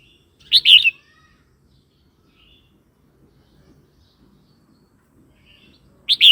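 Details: Red-whiskered bulbul song played to teach young birds and provoke other birds: two short, loud, bright warbled bursts about five seconds apart, with silence between.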